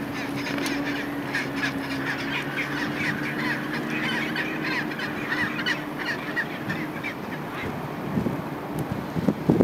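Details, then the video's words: Gentoo penguin colony at Neko Harbour, Antarctic Peninsula, fills the air with overlapping harsh, honking brays over a steady low hum and wind noise. "Gentoo Penguins"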